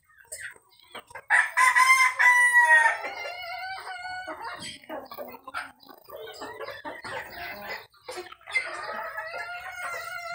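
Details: Rooster crow from a Brazilian breeding farm's top-five selection: a long harmonic crow with level, slightly falling tones around two seconds, then softer clucking and a second drawn-out crow near the end.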